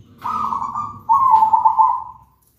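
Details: Melodious, loud zebra dove song meant to prompt other zebra doves to sing: two trilled coos, the first shorter and softer, the second louder and longer with a rolling purr, after a faint click.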